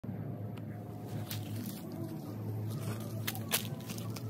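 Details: Scattered clicks and rustling footsteps over a low hum, with no animal voices.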